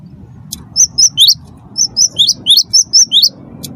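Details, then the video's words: Wingko-type cinereous tit in lively song meant to set other birds singing: a steady string of bright, high whistled notes in pairs, a flat note then a downward-curving one, repeated roughly twice a second over low background rumble. "gelatik batu wingko gacor pancing bunyi suara cerewet"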